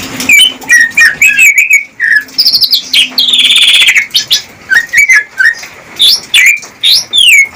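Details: Captive greater green leafbird singing to woo a female for breeding; chattering whistled notes, then a long buzzy rattling trill, followed by loud slurred whistles repeated about every half second, with a faint low hum.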